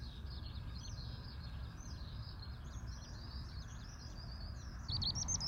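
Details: Eurasian Skylark singing at an Ibaraki, Japan campsite on a breezy morning following a night of strong wind; thin, fast, unbroken high chirping warble, louder toward the end, with low wind noise beneath.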